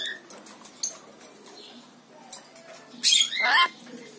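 A lory gives a brief whistled chirp and a few soft clicks, then a loud, harsh, grating screech lasting most of a second.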